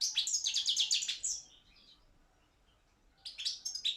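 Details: Goldfinch of the Balkan race singing in an online world song competition: a fast, high twittering phrase of tinkling chirps lasting over a second, quiet, then a short renewed burst of sharp notes.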